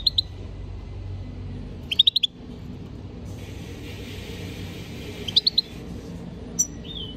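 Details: European goldfinch singing two tight bursts of four or five high, ringing chirps plus a few isolated notes, while a broad hissing noise rises partway through.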